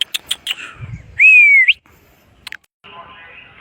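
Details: Parrot making a clear whistled note that bends down then rises sharply, after a few short clicks and a soft lower call; faint background hiss follows.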